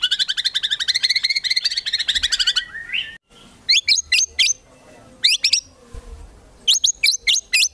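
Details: White-rumped shama contest training song with 'isian tembakan' fill: a fast, warbling trill for about three seconds, then clusters of sharp, very high clicking chips repeated in short groups with pauses between.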